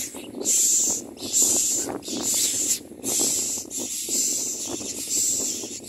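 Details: Hungry common myna chick, fed by a parent, repeats rough wheezing hisses about every second in a steady run, with low rustling noise underneath.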